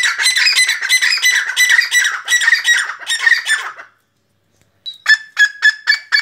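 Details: Black francolin, called kala teetar or Sindhi teetar, giving a harsh, grating call of rapid rasping pulses for nearly four seconds. After a brief silence come cleaner, evenly spaced stacked notes, repeated about five times.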